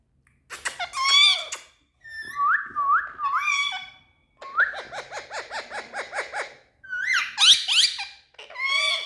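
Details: Indian ringneck parakeets kept indoors in a room, described as speaking and happy: five bursts of loud chattering built from rapid, rising, harmonic notes, mixed with shrill squawks. Short silent gaps separate the bursts.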